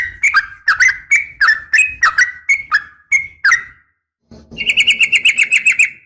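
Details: Morning calling of a female sooty-headed bulbul to attract males: a series of loud, short slurred notes about every third of a second, then a rapid, even trill of bright repeated notes.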